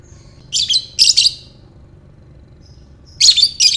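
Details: Lovebird giving ngekek-style calls, used to stir other lovebirds: short clusters of harsh, high, scratchy chirps in quick pairs, a pause, then two more bursts.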